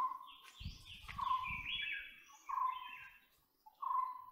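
White-bellied Woodpecker giving loud, ringing, slightly nasal notes, repeated about every second or so, with some low thumping noise early on.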